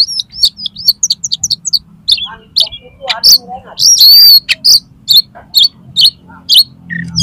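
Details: Oriental magpie-robin, tail spread, spilling out its learned song to goad another magpie-robin into a fight. Dense, rapid high whistled notes mixed with harsh scratchy bursts and a long wavering whistle.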